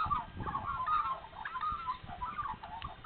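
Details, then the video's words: Early morning Australian magpies in spring at Nowra, NSW, singing after being fed, delivering a short, dense stretch of rolling, carolling notes with quick pitch changes. "Spring Magpies singing Nowra NSW"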